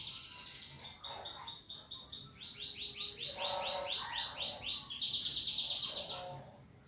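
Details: A vigorously singing canary in 'ngetik' style, meant to coax other birds into song: fast trains of bright, high, repeated swooping notes that shift pitch between phrases, then fade out at the end.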